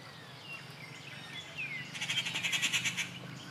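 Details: Rufous treepie recorded at Kattupadi on June 19, 2021: a few rising whistled notes, then a loud burst of rapid harsh pulsing notes for about a second, over a low background hum.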